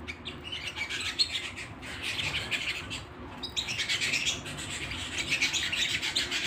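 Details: A pet canary sings at home, delivering fast, high chirping trills in bursts, a brief pause near the midpoint, then another sustained run of rapid warbled notes.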